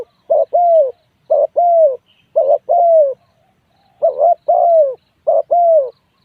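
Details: Repeated low two-part coos of a spotted dove, short note plus longer drooping hoot, about six phrases roughly a second apart with one longer pause midway.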